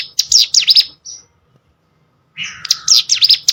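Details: Hill prinia song used as training audio for competition birds: two short bursts of high, sharp zigzagging notes separated by a pause of more than a second of silence.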